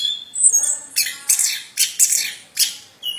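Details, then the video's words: Plontang bird giving harsh, scratchy bursts of song, five or six rasping notes spaced roughly half a second apart, preceded by a short high whistle. "Burung Plontang suara mantab"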